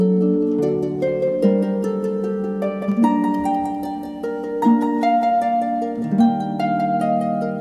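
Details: Plucked harp music with shifting notes plays throughout, with no animal voices.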